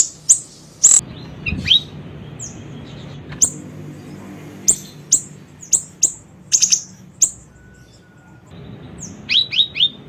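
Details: Small siri-siri bird song for luring and training: high piercing chirps, short trills and quick descending triple notes in scattered bursts, with a brief low thump early on and a faint steady tone near eight seconds.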